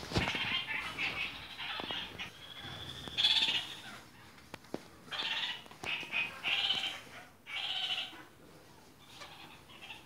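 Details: Red-crowned parakeets (kakariki) of various colour varieties give a series of harsh, nasal chattering bursts, each lasting under a second, separated by short pauses, with faint clicks and rustling between.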